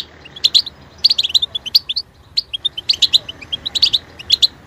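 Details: Pet European goldfinch in song training, singing high sparkling chirps and short twittered phrases in clusters about every second.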